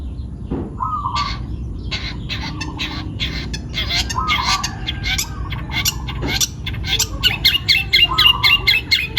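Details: Long-tailed shrike, a young bird taken from the wild, singing actively in Pati, Central Java: a rapid run of scratchy, chattering notes, about two per second, growing louder and denser toward the end, with a steady hum behind.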